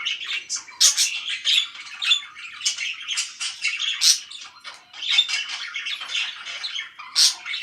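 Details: Several parakeets keep up a continuous, high-pitched warbling chatter, mixing sharp tweets, buzzy notes and brief shrill squeaks in quick succession.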